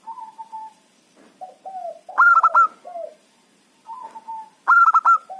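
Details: Zebra dove of local stock, used as a lure to catch wild birds, gives level cooing notes, short falling coos, then two loud clipped stuttering bursts of four to five notes, each followed by softer low coos.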